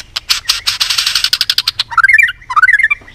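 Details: White-rumped shama singing competitively: a burst of rapid harsh buzzy notes, then quick high whistled phrases with bouncing, warbling slurs.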